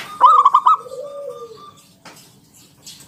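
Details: Lively local zebra dove singing in the Ngalun Kung Bulat style, kept as a lure to prompt other doves to call: about five rapid clipped notes followed by one long, smooth, slowly falling coo, then quiet.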